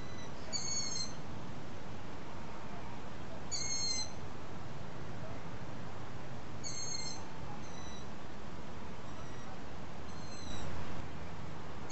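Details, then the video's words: Young long-eared owls begging as parents feed them, filmed well after sunset through a telescope: thin, squeaky, slightly falling whistles repeated roughly every three seconds, fainter answering squeaks between, over a steady low rumble. "Bedelende ransuilen"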